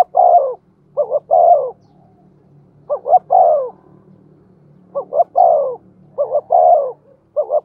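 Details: Decoy spotted dove cooing in the thổ voice style. Five phrases plus a clipped start are heard: two quick hoots and then a longer, descending, breathy coo. A faint low hum sits underneath.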